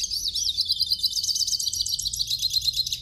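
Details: Captive hooded siskin song for warming up another bird: a dense, unbroken stream of very high, rapid twittering and buzzy warbled notes lasting three seconds, with no other sounds.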